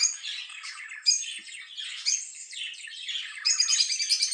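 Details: Lovebird chatter: busy scratchy twittering mixed with thin whistled squeaks, growing louder and shriller toward the end.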